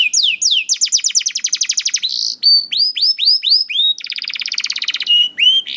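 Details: Young canary performing a lure song for hesitant canaries: varied tours of rapid, repeated sweeping notes, a fast steady trill, looping upward-curving whistles, then a buzzy rattle and final high notes.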